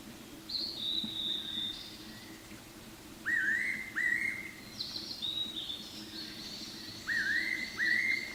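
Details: Fairy pittas calling back and forth, one nearby and one farther off, recorded 4 June 2018 with no bird in view; whistled two-part notes, a high thin note then a lower rising slurred one, repeated every few seconds.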